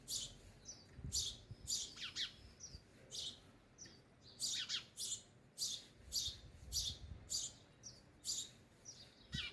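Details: Sparrows feeding at a bird feeder chirp in a steady run of bright, high tweets, nearly two per second, with a few faint lower notes and soft thumps underneath.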